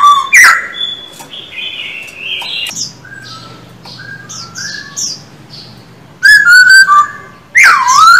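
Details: Caged silver-eared laughingthrush in song training, starting with a sweeping whistle and softer high warbled notes over a low hum, before finishing with two loud, sliding, harmonic phrases.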